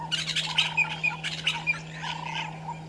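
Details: Violet-backed starling pair at a nesting tree by Gowrie dam, Djuma Game Reserve, Sabi Sand Wildtuin, South Africa, at 05:48 on 13 December 2022; rapid squeaky, harsh chattering notes in quick bursts over a steady low electrical hum.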